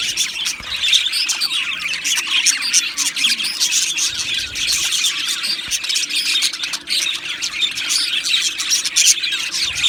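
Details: Budgerigars in an aviary colony keep up nearly ten seconds of unbroken chirping and warbling. Many birds call at once in a busy, high-pitched chatter with brief louder squawks scattered through it.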